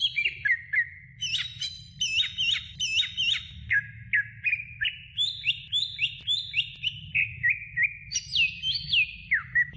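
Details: Training recording of greater green leafbird song for other songbirds: rapid varied whistles with rising hooked notes and high chattering bursts, repeated phrases about every second, over a constant low hum.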